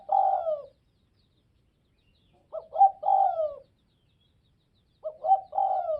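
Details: Spotted dove from Northwest Vietnam cooing: soft, low, hooting phrases, each a short lead-in note followed by a longer falling coo, repeated about every two and a half seconds, three times, in quiet surroundings.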